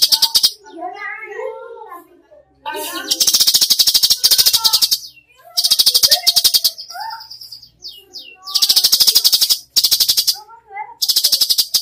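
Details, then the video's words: Cucak cungkok singing 'gacor' with full 'tembakan': twittering warbled phrases and quick sliding whistles alternate with long, loud, rapid clicking rattles lasting one to two seconds each. "masteran cucak cungkok gacor full tembakan"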